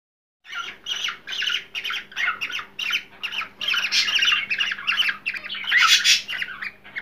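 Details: Cockatiel (Nymphicus hollandicus) giving harsh, grating squawks in quick succession, about two per second, over a faint electrical hum; a sound presented as stimulating cockatiels to mate.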